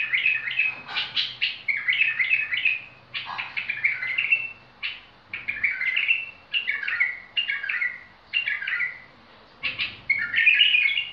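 A bulbul sings short, rich warbled phrases, one after another with brief pauses between.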